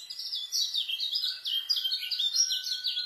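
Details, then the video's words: Fast, dense white-eye song used to tutor new young birds: a continuous run of high, bright warbled notes that slide down and up, closely spaced and steady throughout, with a faint sustained thin tone underneath. "KECIAL SPEED RAPET ISIAN,COCOK BUAT MASTER KECIAL BARU"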